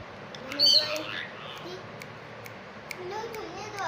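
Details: Pet talking rose-ringed parakeet, recorded 23 August 2025, chatters in a high, thin, speech-like voice mimicking Hindi speech; a sharp squeaky note comes early, then run-on syllables follow to the end.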